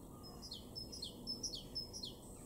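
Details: Great tit song in a Weener garden, East Frisia, northwest Germany, recorded March 2023: four evenly spaced high ringing phrases, each a thin whistle then a descending slurred note, over faint low background hum.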